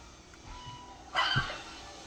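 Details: A 3-year-old male red-sided eclectus parrot, chattering before bedtime, gives faint thin whistled tones, then a sudden harsh, raspy squawk lasting about a third of a second, ending with a soft thump.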